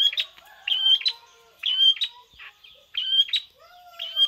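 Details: Prinia-like song from a long-tailed shrike: clusters of two or three sharp high chirps with a quick slurred whistle, repeated about every second and a half, with faint lower whistles between phrases.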